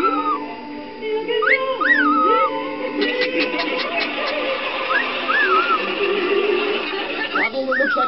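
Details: Male pied cockatiel gives a copied wolf whistle, a clear rising note then a rising-falling swoop, and then laughs at himself, with another grey cockatiel and chatter in the background.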